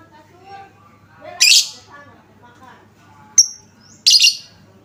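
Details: Lure sound to draw answering song from lovebirds. Faint murmuring at first, then a harsh raspy screech, a brief sharp high pip and another rough buzzy chirp.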